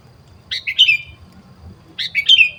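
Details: Wild sooty-headed bulbul heard during bird luring: two identical short bubbly phrases about a second and a half apart, each a quick run of liquid rising and falling notes ending in a clear drawn-out whistle, over quiet low rumble.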